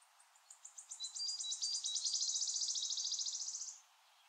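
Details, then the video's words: A wood warbler (Phylloscopus sibilatrix) singing: a few spaced high ticks quicken into a long, shivering metallic trill of about three seconds, with a few thin whistles woven in. "Sirittäjä laulaa(Wood Warbler singing)"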